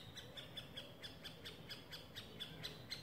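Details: Fallen middle spotted woodpecker chick climbing a tree trunk after leaving the nest, Parc de la Poudrerie, France, on 22 May 2019; steady run of short nasal chattering notes, roughly two per second, over faint distant traffic hum.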